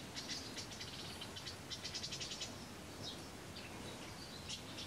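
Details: Nestling barn swallows in the nest, Kırcaali, Bulgaria: rapid clusters of high buzzy chirps in two bursts, followed by scattered thinner squeaks over a steady hiss.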